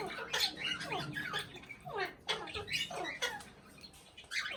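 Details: Talking Indian ringneck parakeet chatters in quick, busy runs of squeaky, sliding syllables, rising and falling rapidly with almost no pauses, over a soft background rumble.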